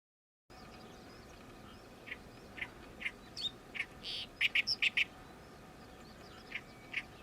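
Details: A summer-visiting Oriental reed warbler, newly arrived this season, calling noisily "gyo-gyo-shi": loud, harsh, grating notes in an uneven chatter, with a quick run of rasping notes in the middle, over a faint steady hum.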